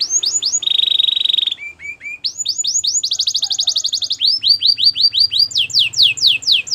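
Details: Belgian canary song used for training, mixing fast swept notes, a steady buzzy trill, brief low chirps, a dense rattling roll, and repeated descending whistles in quick succession.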